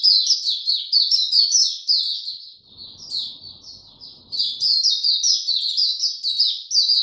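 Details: Continuous bright twittering from a white-eye, 29 April 2022, bird given no supplements; fast high notes run almost unbroken, softening briefly midway before resuming strongly.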